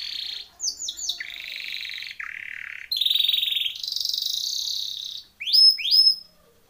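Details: Timbrado canary training song with sustained rolled trills that step between pitches, a loud bright high tour in the middle, then sharp rising whistled slurs near the end.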